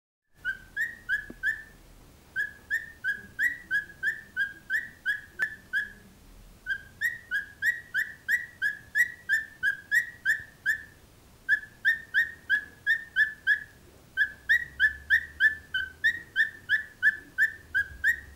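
A cockatiel gives quick, whistled chirps, about three a second, in long steady runs.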